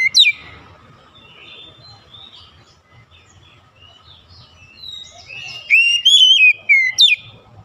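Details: Lure song of an Oriental magpie-robin to coax silent or lazy magpie-robins into singing: one sharp whistled sweep, a long stretch of soft distant chirping, then a loud gliding whistled phrase and a final steep upswept note.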